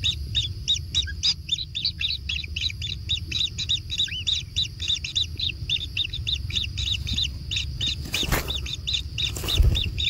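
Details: Young kingfishers being fed in a natural nest, repeating high chirps roughly three to four per second in a long even series, with two knocking bumps near the end over a faint low drone.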